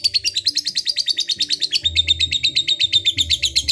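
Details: Lovebird fighter song meant to provoke rivals: rapid high chirping notes pulsing steadily in a continuous chattering run, with faint low background hum.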